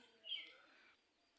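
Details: A tame pet Jungle myna, which its owner calls a jhuti shalik, plays in the morning and gives one short, bright, slightly harsh chirp that fades quickly in a quiet room.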